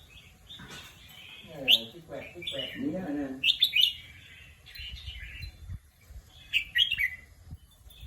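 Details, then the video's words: Caged red-whiskered bulbul kept as a competition bird, giving short bright whistled phrases in three bursts, each a quick run of rising and falling notes, with a man's voice speaking in between and a faint steady high hum throughout. "นกกรงหัวจุก นกแข่ง"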